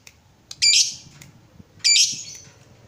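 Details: Lovebird of the fighter type, used as a lure to prompt other lovebirds into ngekek singing: two harsh, buzzy high squawks about a second apart, each with a sharp onset and a short fading tail.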